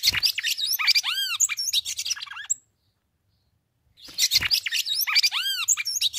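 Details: Female red-cowled cardinal calling to stimulate the male in summer caatinga scrub of the Brazilian northeast sertão. Two fast bursts of high, squeaky chirps and looping whistled notes, separated by a pause of over a second.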